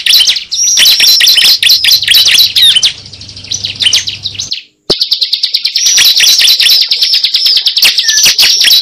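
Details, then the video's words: Cible lure recording: excited high chirps and twittering slurs, then a brief silence, followed by a fast, even series of sharp chirps, about two per second. "Pikat suara burung cible terbaru sangat ampuh"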